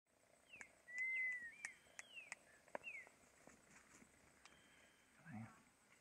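Ocellated Crake giving thin, high whistled notes, some drawn out and others short and falling, spaced irregularly, with sharp clicks and a brief low human voice.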